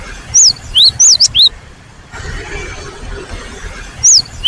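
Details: Cinereous tit song recorded to provoke singing: a handful of high, arched whistled notes early on, a long quieter stretch of background noise, then two more whistles at the end.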